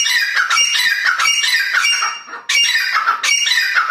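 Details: Female grey francolin recorded on 29 November 2022, calling loudly with harsh, ringing notes in rapid bursts. A brief pause comes near the middle before the calling resumes, and no other sounds are heard.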